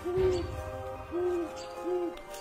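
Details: Great Horned Owl giving a humming hoot, described as sounding like a stomach rumble and used for communication; three low, even hoots about 0.3 seconds long, spaced roughly 0.8 seconds apart, with soft background music throughout.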